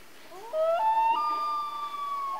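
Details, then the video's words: Common loon calling at night: a long, mournful wail that rises in two upward steps and then holds a steady, slightly falling tone, clear against a quiet background. "Relaxing Loon Call At Night, Common Loon Call"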